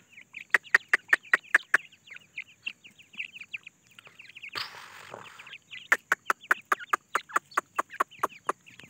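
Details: Soft twittering peeps from Grey francolin chicks looking for food, laid over rapid regular clicks; a brief rushing, scraping noise interrupts the middle before the clicks and peeps resume.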